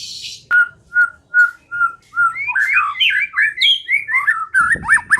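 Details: White-rumped shama lure song: four evenly spaced, identical mellow whistles, then a fast tumbling phrase of varied rising and falling whistles, ending with a short rustling noise.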